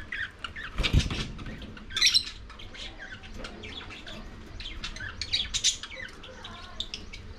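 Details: Lovebirds eating corn give scattered sharp squawks and short chirps, with a loud burst near the start and more high chirps later, over a steady low background hum.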